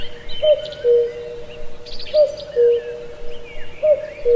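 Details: In an old forest at Pallandri, Azad Kashmir, a cuckoo gives three clear, mellow two-note calls, a higher note then a lower one, with brief chirps and trills from other birds in the background.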